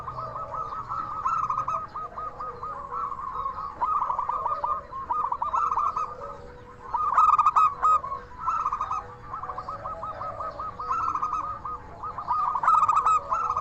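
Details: Chatty local zebra dove with a crystal voice, singing to make other doves answer; several loud phrases of rapid stuttering coos and drawn-out notes rise from a thick chorus of other doves cooing continuously.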